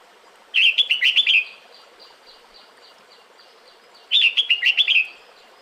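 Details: Breeding-season call of a female red-whiskered bulbul to the male: a fast tumbling phrase of about seven bright whistled chirps lasting under a second, repeated once after roughly three seconds, with faint hiss between.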